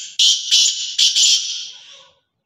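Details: Black francolin (kala teetar) calling in Sindh, Pakistan: loud, harsh, grating bursts, two close together, a pause, then two more, the last trailing off, with silence behind.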